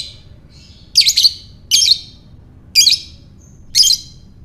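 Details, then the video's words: Lovebird ngekek: four loud, harsh, rapid chattering bursts about one second apart, with a few faint higher chirps between them over low steady hum. "Lovebird Ngekek"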